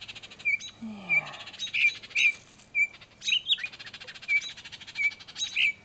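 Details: Agitated Baltimore oriole parents scolding a person close to their fledgling, which fell from the nest and is now on the ground; short sharp chirps repeat about twice a second, mixed with louder harsh chattering bursts over a dense buzzy background.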